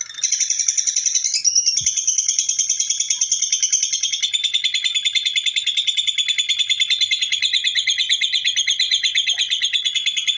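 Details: Lovebird giving a long, continuous ngekek chatter: a rapid, unbroken stream of high, harsh, buzzy pulses sustained for over ten seconds, with a slight shift in pitch early on and no other clear sounds.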